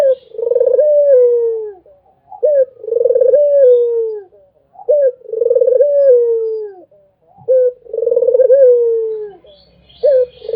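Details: Barbary dove cooing nonstop: low, mellow phrases repeated about every two and a half seconds, each a short clipped note followed by a long, slightly wavering coo that slides gently downward, with brief silences between phrases.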